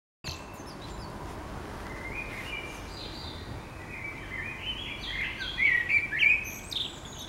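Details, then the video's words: Common blackbird singing in the morning in the middle of a city: warbled phrases rising and falling between mid and high pitch, building toward a louder flourish near the end, over steady urban background noise. "Chant d'oiseaux le matin au réveil"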